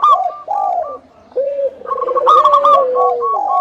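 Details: Local zebra doves singing a lure to draw other doves into song: quick, clipped higher notes over rolling low coos, building into a dense, bubbling passage that ends in a long sliding coo.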